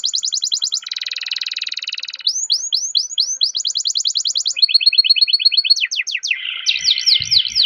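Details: Canary rolling a long song meant to prompt other canaries to sing: quick trills, a dense buzzy rattle, then looping swept notes and rapid chattering phrases, one after another without pause.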